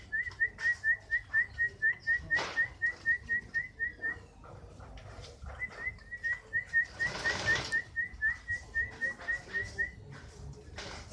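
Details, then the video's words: Fighter-style canary delivering rapid, regular bursts of identical short whistles, about four per second, in two long runs separated by a brief rush of noise. "Burung kenari faigter"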